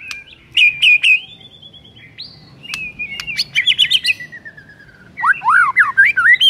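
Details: Morning song from an actively singing white-rumped shama, rich repertoire: high whistled phrases with sharp ticks, a wavering whistle, a run of quick staccato notes, then loud rapid zigzagging whistles.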